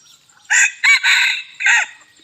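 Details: Bantam chicken crowing loudly on a hot evening in Bueng Kan, Thailand: a coarse, hoarse crow in four separated bursts, the longest in the middle, against a quiet background.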